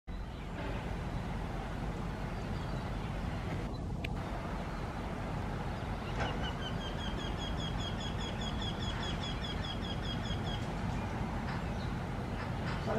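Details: Eurasian wryneck singing with a view of the city of Dubrovnik, a run of about a dozen even, nasal, ringing notes over four seconds, against steady low rumble like traffic or wind; Eurasian wryneck.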